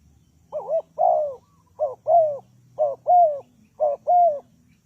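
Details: Spotted dove used as a lure for trapping, giving paired coos: a short wavering note, then a longer, falling, throaty coo. Four pairs come about once a second, with a faint low rumble underneath.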